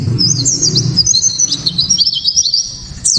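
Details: Japanese white-eye singing loudly and clearly to provoke rivals into song: a continuous rapid stream of high, thin, tumbling twitter notes lasting about three seconds, with low rumbling noise beneath at the start.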